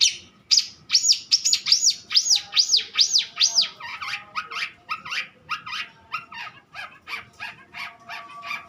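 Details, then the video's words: Long-tailed shrike in vigorous song: a run of arched, buzzy whistled notes in quick succession, then faster scratchy chattering phrases. "burung cendet gocoor poll"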